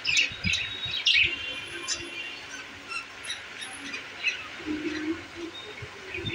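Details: Pet budgerigars, described as happy in a new cage, chatter in bright squeaky chirps and warbles, loudest in the first second, then softer scattered notes, with faint low thumps and rustling.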